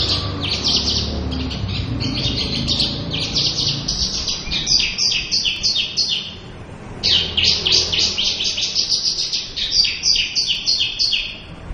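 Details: Javan bush lark, said to have dwindled to near absence in the wild, in full-repertoire song: dense, continuous high twittering and rapid chattering phrases, one long run breaking off near six seconds, then resuming, over a steady background rumble.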